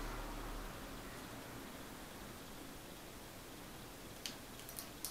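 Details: Steady indoor background hiss with faint rustling and a few sharp clicks near the end, no animal voice present.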